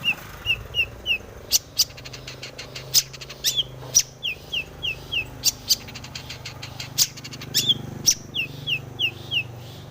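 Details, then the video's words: Long-tailed shrike (cendet) in breeding condition, full 'isian' lure song to make shrikes sing; series of short falling whistles in groups of three or four, broken by sharp clicking snaps and bursts of dry ticking. "cendet gacor BIRAHI full isian"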